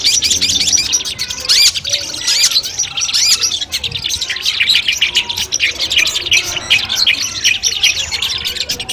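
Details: Cendet, the Long-tailed shrike, singing in training audio used before a contest: a continuous stream of quick chirps, short slurred whistles and buzzy notes, crowded and overlapping throughout.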